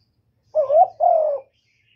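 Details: Two-part coo from a spotted dove, the first note rising and the second long and gently falling, heard close against quiet background.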